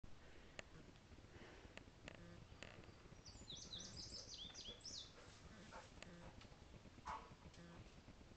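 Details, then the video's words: An Indigo Bunting sings a brisk two-second run of high, sweet duplicated notes in pairs, alongside a singing Common Yellowthroat, against steady low rumbling background noise and a few clicks. "Indigo Bunting (a series of sweet, duplicated notes)"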